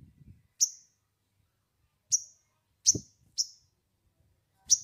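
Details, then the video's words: Sogon bird sound used as a lure to get newly caught birds singing: sharp, very high chirps at irregular intervals, each a quick downward flick with a short tail, with faint low thumps early on. "pancingan sogon bahan agar bunyi"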